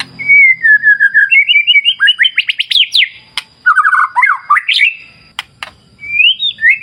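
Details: White-rumped shama (murai batu) singing a rich, varied song: a wavering whistle, fast rising sweeps, a burst of rapid notes, then a lower warble and a final rising whistle, with a faint steady high whine behind.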